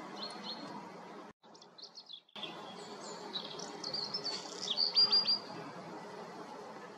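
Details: Black redstart (Phoenicurus ochruros) song: high, thin whistled notes and scratchy fragments, ending in a quick series of short bright notes, over a steady background hum.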